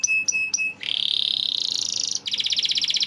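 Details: Canary song for prompting stuck canaries to sing: three clipped repeated chirps, a long rising trill, then a rapid pulsing roll.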